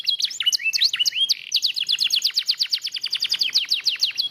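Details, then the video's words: Lemon yellow canary singing energetically: a few varied swooping whistled notes open the song, then a fast, even trill of sharp downward-sweeping notes, repeated several times a second and sustained to the end. "Kenari Kuning Lemon gacor"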